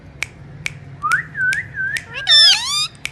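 An Alexandrine parakeet gives wavering whistled notes, then a brief, rich, harmonic squawk, over sharp finger snaps about every half second.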